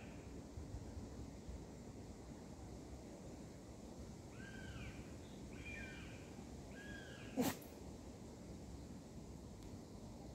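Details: A kestrel in a landscape reserve gives three faint, arched, slightly nasal notes about a second apart over steady wind-like rumble, with one sharp knock near the end.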